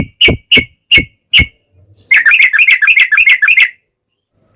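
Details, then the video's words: Gacor fighting ropel song of a Yellow-vented bulbul, used as a lure to make bulbuls reply: four loud separate chirps with low thuds, a pause, then a quick chattering run of bubbly notes lasting over a second. "trucukan gacor TARUNG ROPEL ini buat pancingan trucukan agar bunyi"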